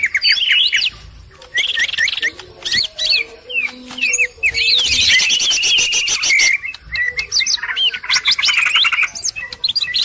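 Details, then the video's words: Greater green leafbird ("cucak ijo"), used as a lure call, pours out a busy, high jumble of sharp chirps, slurred whistles and rapid chattering trills, with almost no pause between phrases. "burung ijo ribut"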